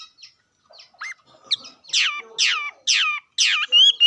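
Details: Bird song building from faint scattered chirps into four loud rich downslurred notes with harmonics, about two per second, ending in a clear rising whistle.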